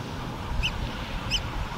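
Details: A pair of Eurasian oystercatchers calling on Great Blasket Island: two sharp, high piping 'kleep' notes about 0.7 seconds apart, over a low rumble of wind.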